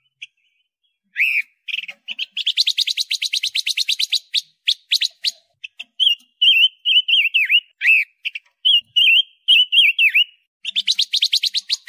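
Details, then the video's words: A loud Pekin robin singing for a tutor recording used with caged songbirds: a long fast trill runs for several seconds, followed by a series of wavering, swooping whistles, then another quick trill. "MASTERAN SUARA BURUNG ROBIN PANCA WARNA, Si kecil bersuara lantang"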